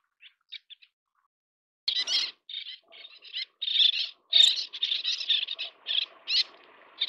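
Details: Little terns at the nest feeding chicks: after a few faint peeps, loud rasping high calls follow one another almost continuously, harsh and insistent, with a steady low background hum.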